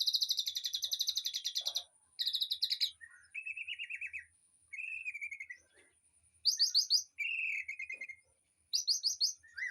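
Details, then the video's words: Mixed aviary birdsong played for training a white-rumped shama: fast buzzy trilled bursts alternate with lower slurred whistled phrases, repeated in short bouts with brief gaps. "Suara Burung Di AVIARY//Untuk Masteran Murai Batu"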